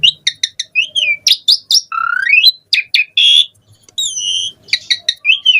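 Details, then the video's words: An Asian pied starling sings a varied song used as a lure for other starlings: sharp chips, a long rising whistle, steady held tones and harsh broadband bursts. "Jalak Suren Gacor Full Isian VARIASI Cocok Buat Pancingan Suara Burung Jalak Agar Gacor"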